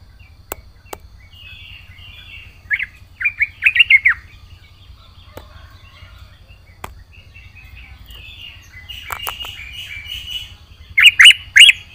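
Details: Yellow-vented bulbul (trucukan) in full voice, with fill-in phrases: short bubbly warbled phrases and chattering notes around the upper-middle range, scattered in bursts with quiet gaps and a low hum beneath.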